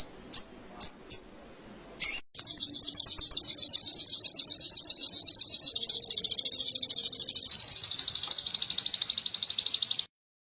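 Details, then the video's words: Canary song as training material: three high clipped chips, a quick burst, then a long, rapid, high rolling trill in several pitch steps, ending abruptly. "Masteran sogon kekinian materi kenari"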